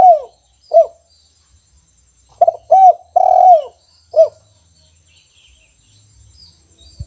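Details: Spotted dove kept in a cage, singing its 'kuk 1' song style in full voice: low hoarse cooing notes, two opening coos, then after a pause a quick cluster of three or four coos with one stretched note, ending on a single coo.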